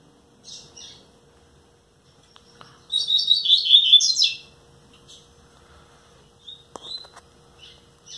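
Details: A nine-month-old captive double-collared seedeater delivers one rapid, bright, twittering song phrase of about one and a half seconds, preceded and followed by scattered faint chips in a quiet room.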